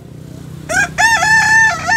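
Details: Tiered crow of a Kokok Balenggek rooster, a singer breed native to West Sumatra, kept at a restaurant: a short rising note, then a long bright held tone with small dips, over a low background hum.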